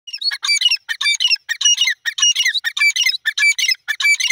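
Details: Teetar, a francolin, calling: loud, harsh squawking notes with sharp high overtones in rapid clustered bursts, roughly two bursts per second, each burst a quick scratchy chatter, with silent gaps between and no other sounds.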